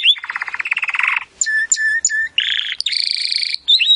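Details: Timbrado canary singing for canary song training: a low rolling trill, then several short flat whistled notes, a buzzy steady tour and a high bright trill, ending with a rising whistle.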